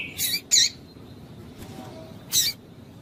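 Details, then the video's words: Female double-collared seedeater calling to stimulate, or heat up, the male: three short, sharp, high chirps. Two come close together in the first second and a third follows after a pause. Quiet background. "COLEIRO TUÍ-TUÍ COM FÊMEA CHAMANDO ESQUENTAR COLEIRO"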